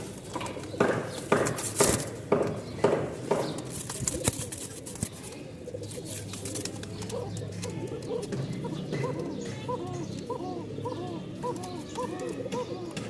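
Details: A pair of domestic Kokka pigeons at a pigeon market in Mirpur give soft, rolling coos, repeated in quick pulses after a man talks.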